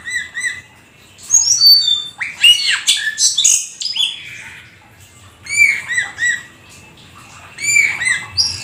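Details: Black-winged starling (jalak keling) singing lively in the gacor full isian style: bursts of whistled, slurred notes and harsh squawks, with short upward and downward whistles between quiet gaps.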